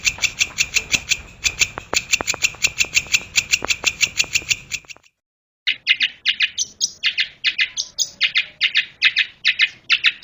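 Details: Caged brown shrike, kept as a song tutor and known for copying other birds' songs, delivers rapid high scratchy chattering that stops briefly, then resumes as sharp, separated chirps in irregular bursts.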